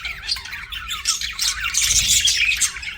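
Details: Budgie chirping, fast raspy warbling that grows busier and louder toward the middle, with a faint steady low hum beneath.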